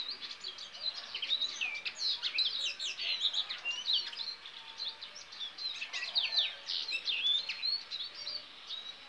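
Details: Goldfinch hybrid singing a continuous high twittering song of rapid chirps, slurred whistles and buzzy trills over a steady background hiss.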